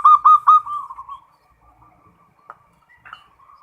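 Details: Local zebra dove, perkutut, singing full ngerot song for raising breeding mood: three loud clipped coos opening the phrase, then a trailing run of quieter bubbling notes and scattered soft calls.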